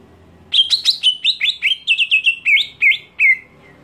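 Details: Greater green leafbird's provoking scream aimed at other leafbirds: a rushed run of about fifteen sharp, high notes that gradually slow and drop slightly in pitch toward the end.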